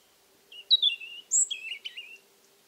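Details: A European Robin's evening song near an old Alentejo house in cork-oak country, warm October 2014; a short high verse of wavering, falling trills followed by a shrill rising note and a lower warbled close, over near silence.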